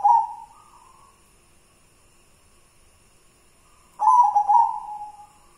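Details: Zebra dove, a white local wild-type bird, gives a rolling cooed phrase ending in a sustained tone, then about three seconds of quiet before another burst of rapid, bubbling coos.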